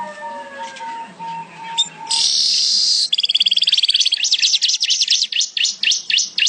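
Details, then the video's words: Weaver, known locally as manyar, singing energetically for use in training songbirds: a long harsh buzzy hiss, then rapid repeated high wavering whistled notes, after a faint low droning background. "MANYAR #GACOR Buat masteran burung kicau juga boleh."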